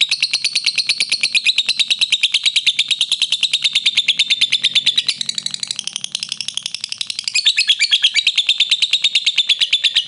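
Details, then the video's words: A lovebird, used as a master-song recording of long, clear "ngekek" trilling, gives one long, shrill, unbroken trill of rapid chattering notes, about three per second, holding high and steady for ten seconds. Lovebird. "Lovebird Ngekek Panjang Suara Jernih"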